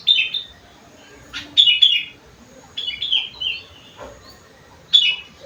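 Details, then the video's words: Sooty-headed bulbul giving its rengganis and cucak wilis song fill: short, sweet, falling whistled phrases repeated at irregular intervals, with brief gaps of quiet between them. "burung kutilang isian rengganis / cucak wilis"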